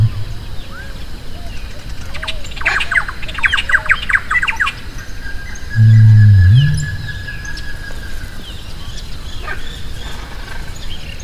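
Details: Greater rhea uttering one deep, droning low note lasting about a second in an open outdoor setting, with other birds chattering and whistling beforehand and a soft steady hiss throughout.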